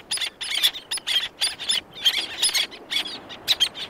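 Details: A group of black-naped terns gives loud, shrill, rasping notes in regular bursts about twice a second, with more birds faintly calling in the distance.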